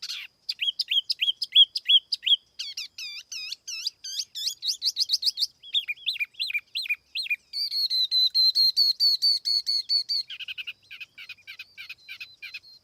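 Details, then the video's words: Tiểu mi laughingthrush kept as a lure bird, singing a varied run of phrases: rising whistled notes repeated in series, then slurred, downward-sweeping notes, a steady high warbling stretch and finally lower rapid chirps, with no background noise. "TIẾNG CHIM TIỂU MI MỒI KHÔNG TẠP ÂM CỰC CHUẨN"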